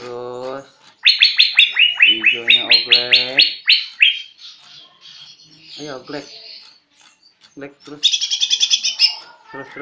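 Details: Greater green leafbird practising song: a fast run of descending, slurred notes, about four per second, is followed by softer chatter, then a bright rapid trill of repeated high notes. Low harmonic sounds underlie the opening.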